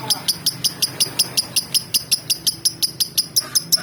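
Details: Lovebird from Palembang, kept to lure other male and female lovebirds into singing; sharp, high chirps repeated steadily about four times a second, each a brief bright click-like note, over a faint low background hum.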